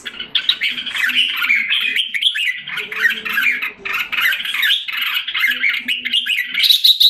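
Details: Recovering caged red-whiskered bulbul from Singapore, July 2017. It delivers steady, varied chattering song, phrase after phrase with barely a pause, and faint low humming sounds underneath.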